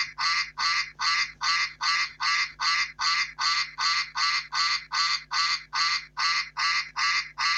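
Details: Continuous run of loud, rasping duck quacks at an even pace of roughly two and a half per second, every note alike in length and strength, with a quiet background.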